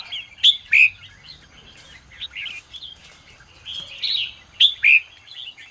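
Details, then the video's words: Red-whiskered bulbul singing at dawn in the ché style, used for training: sharp, loud whistled notes in pairs opening and closing the passage, with softer mellow warbling between. "chào mào hót sáng QUÁ HAY - CHÉ KÍCH BỔI CĂNG ĐÉT"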